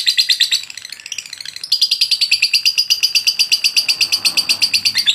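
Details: Lovebird delivering a long-duration, persistent song used as training material for other birds: fast rhythmic chattering notes around six per second, high and buzzy, with a brief quieter dip before the steady trill resumes.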